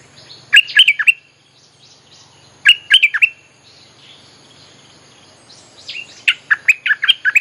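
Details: Bulbul song played to attract wild birds: three phrases of quick, bubbly, warbled chirps, each about half a second long, separated by pauses of roughly two seconds.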